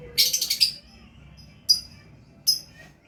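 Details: Lovebird in gacor mode: a quick rattled cluster of shrill chirps, then two isolated high single notes after pauses, with faint low background noise.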